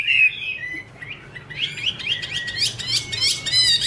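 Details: A female hwamei (Chinese hwamei) in 'te' song, male heard in the background: soft whistled notes, a short lull, then quick successive chirps and bright upslurred whistles building in strength.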